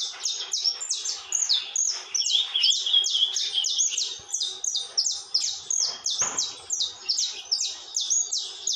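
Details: Unceasing saffron finch song of quick, bright, down-slurred chirps packed closely together, rising and falling in loudness, with one brief thump partway through.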